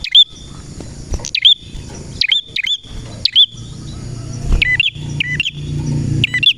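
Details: Male red prenjak in full, lively song, kept as a tutor bird for training other prenjak: sharp, bright chirps with quick up-and-down whistled notes, given in bursts roughly every second, over a low background rumble.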